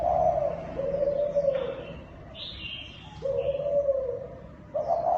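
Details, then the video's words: Thai dove in kích bổi cooing: a long low coo, a pause with faint high twittering from other birds, then another sustained coo and a fresh one starting at the end. "Tiếng Chim Cu Thái Kích Bổi"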